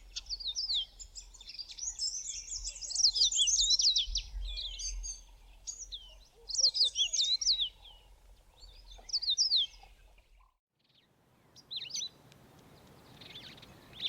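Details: A Yellow-fronted canary, apparently in South Africa, sings early on an autumn morning: rapid, high, twittering phrases of sweet trills and slurred notes in bursts over a low rumble of background noise.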